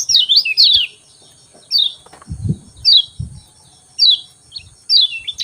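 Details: Lemon-bellied white-eye at dawn hours giving a couple of quick twittered notes. These are followed by isolated high, falling chirps about once per second, with low soft thuds between them.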